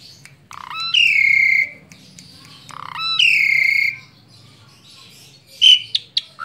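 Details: Tame pet Asian pied starling giving two long, drawn-out, harsh nasal notes, each introduced by a short low buzz, followed by a few brief chips.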